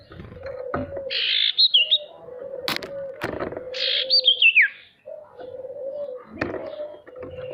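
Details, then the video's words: Male sirtu song, used to lure reluctant caged birds into singing: harsh buzzy bursts followed by a slurred whistle that falls steeply, repeated several times over a steady low hum. "Suara sirtu untuk memancing burung pemalas bunyi agar bisa rajin mau bunyi"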